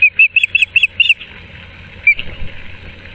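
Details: At a Moorings Park osprey nest on 6 March 2024, during a changeover with a fish brought in, a rapid string of six bright whistled chirps, then one lone chirp after a pause amid soft rustling.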